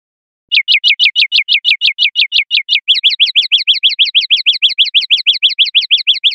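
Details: Common linnet in the 'pardillo limpio' clean song style of silvestrismo, 2025/2026 recording: a long rapid series of high, identical chipping notes, about seven per second, switching midway to quicker doubled notes; clean background.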